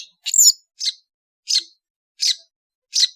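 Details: Lively long-tailed shrike of Madura stock giving a squeaky, twisting opening note, followed by four short scratchy chips spaced roughly every two-thirds of a second in a quiet background.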